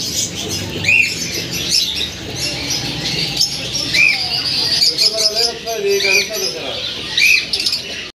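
Short, arched chirps from a Gouldian finch, repeated every one to three seconds, over a steady high hiss and softer twittering from other birds.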